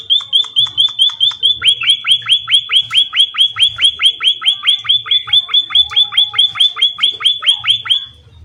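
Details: Munia in energetic song, a long rapid train of bright, high, down-slurred chirps, about four a second and very even, which speed slightly and then stop abruptly near the end; faint low rumble behind.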